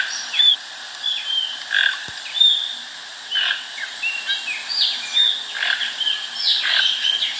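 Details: A toucan being fed at a Brazilian farm gives a run of short, croaky, frog-like notes in irregular bursts, some sliding down in pitch, over a constant hiss with one sharp click midway.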